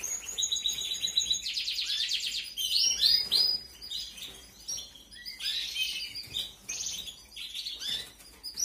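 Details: Belgian canary chicks being fed in a 2021 aviary brood beg with rapid, high, scratchy chirps and buzzy trills, several overlapping in quick bursts, amid an adult's brief high twitters.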